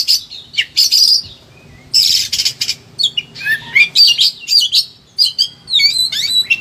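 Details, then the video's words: Agitated, high-emotion Oriental magpie-robin pouring out a varied repertoire, used as a master song to prompt lazy birds to sing: rapid high whistles, harsh buzzy bursts and quick upslurred and downslurred notes in dense phrases, with short pauses. "KACER EMOSI TINGGI BONGKAR SEGUDANG MATERI"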